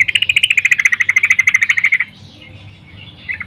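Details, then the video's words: A female sooty-headed bulbul calls to a male in the morning with a two-second rapid rattling trill of evenly spaced notes, slightly falling then steady, ending abruptly, followed by quiet and a faint brief note. "Trucuk Betina Memanggil Jantan PAGI HARI"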